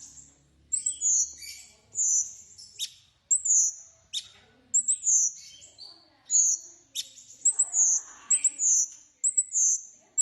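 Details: High, sharp whistled phrases from a bulbul, clustered notes with quick downward slurs, given in bursts about once a second with short pauses between.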